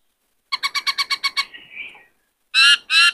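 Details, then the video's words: Caged male White-cheeked laughingthrush worked up while a young bird is trained: a fast series of eight harsh, evenly spaced notes trailing into a softer slur, then two loud raspy squawks. "Khướu bạc má hót nhiều giọng hay Luyện khướu bổi kích khướu trống căng lửa hót múa"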